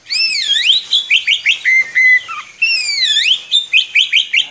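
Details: Oriental magpie-robin with a long continuous song used to tutor young birds: rich swooping whistles alternating with runs of short rising notes repeated about four per second, loud and clear with no other sounds.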